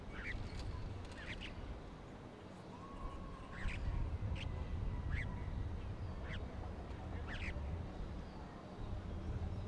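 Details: Bank myna in Gurugram, northern India, giving harsh, nasal calls, repeated irregularly every second or so, over a steady low rumble of background noise.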